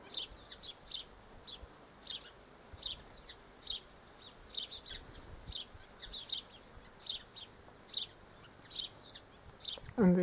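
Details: Double-barred finches filmed on 1 December 2013, giving a steady run of short, high, nasal chirps about every half second, some doubled, over a faint hiss; a lower sliding sound breaks in at the very end.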